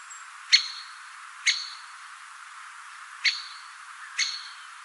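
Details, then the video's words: A Great Spotted Woodpecker, a bold, noisy bird of woodland, hedges, parks and gardens, gives its loud, clear single 'kick' call, four notes in five seconds at slightly uneven intervals, over faint background hiss. "Great Spotted Woodpecker is a much bigger, common, bold and noisy bird often first drawing attention to itself with its loud, clear 'kick' call."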